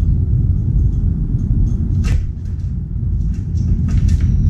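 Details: Deep continuous rumble dominates, broken by a few brief clicks and knocks, with no animal calls.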